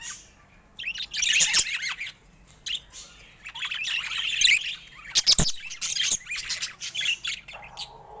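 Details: Pet budgies in rare colour mutations give loud bursts of squeaky warbling and sharp chirps, separated by short quiet gaps, with a few clicks and knocks between.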